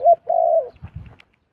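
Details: A wild zebra dove that came down to a decoy bird gives a brief coo and a sustained vibrating trill, then a few soft thumps and rustles.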